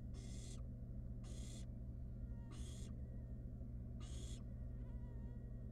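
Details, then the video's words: Wild barn owl nestling playing with its mother's food delivery in a nest box gives four rough, airy hissing calls, fairly regular, against a continuous low electrical hum. "Barn Owl nestling plays with its food that Mom delivered it."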